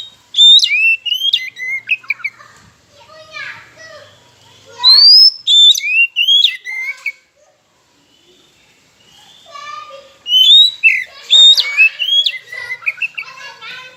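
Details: Oriental magpie-robin (kacer) song used as a lure to get silent birds singing and provoke rivals: loud, varied bursts of high, sharp whistles with rising and falling slurs, sung in several phrases separated by brief pauses.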